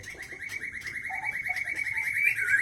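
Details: White-rumped shama of the Aceh Leuser type, caught in 2013 in Pining district, Gayo Lues, Aceh, sings a long, steady, rolling note that holds its pitch and slowly grows louder. A few brief lower notes sound faintly beneath it.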